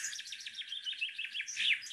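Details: Very strong common chaffinch song ending in du-du-du; a fast, high series of repeated notes stepping down, closing with a sharp terminal flourish.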